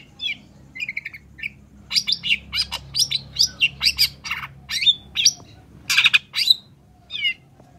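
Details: Energetic long-tailed shrike song meant to trigger other shrikes into singing: short twittering phrases build into a fast sequence of loud, grating, high-pitched notes, some harsh and buzzy, others clearer and squeakier.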